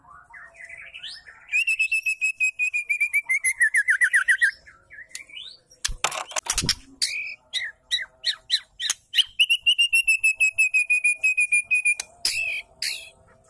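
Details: Female white-rumped shama call for stimulating males to sing: long rattling series of sharp repeated notes several per second, broken by a loud harsh burst and clicks, then another steady rapid series gradually falling.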